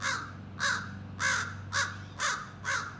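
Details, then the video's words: Six hoarse, drawn-out caws about half a second apart, a young American crow rehearsing its scolding and territorial calls; low background hum throughout. "Young Crow Practices Scolding and Territorial Calls"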